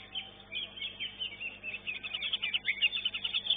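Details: Caged greater green leafbird singing at a competition in the elite class: steady rapid chirps and slurred whistled notes, growing louder and more intense toward the end.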